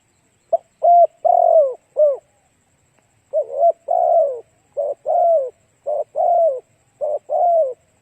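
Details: Spotted dove song used to draw in other doves: two phrases of hoarse, falling coos, each a quick grace note followed by longer drawn-out coos, phrases separated by brief pauses.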